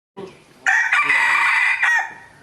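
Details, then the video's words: A rooster gives one loud, hoarse crow held for about a second and a half, with a brief soft sound just before it. "rooster crowing compilation plus rooster crowing sound"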